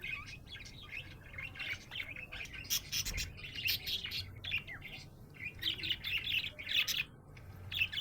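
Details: A happy budgie warbles and chirps steadily, a busy stream of high, rolling twitters and squeaky notes in rising and falling bursts, with a faint low hum behind.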